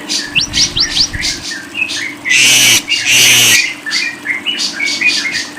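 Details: Lovebird chattering with quick rising squeaks and harsh chirps, interrupted by two loud broad rasping screeches, a faint low hum throughout.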